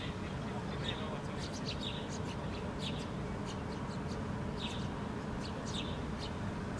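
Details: Several house sparrows foraging on the ground in Helsinki, Finland, in July 2013, one female feeding her fledgling, give short, bright chirps in quick irregular bursts, overlapping, over a steady low rumble of traffic or wind.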